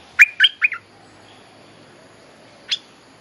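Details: Bulbul calling for a mate, played to teach young birds: three quick liquid notes, a long quiet pause, then one more single note.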